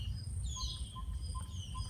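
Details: Yellow-rumped Tinkerbird in Southern Africa on a summer day gives soft, low hollow pops, evenly repeated about twice a second, a common bird calling all day with others taking over, over shrill insect trilling and a low rumble.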